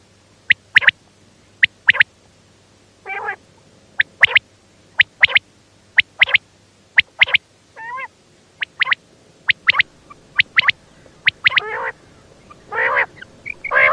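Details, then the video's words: Female quail calling: sharp, clipped notes, often in quick pairs, repeated about once a second, with a few softer wavering, mewing calls mixed in. "female bater sound"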